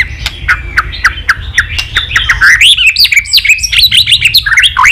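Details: White-rumped shama song meant to provoke fighting: a fast, continuous run of rising and falling whistles and chirps, punctuated by sharp clicks.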